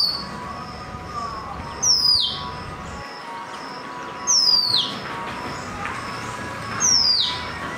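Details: A singing Oriental magpie-robin gives loud, high whistles that slide sharply downward, repeated about every two and a half seconds over a thin steady background tone.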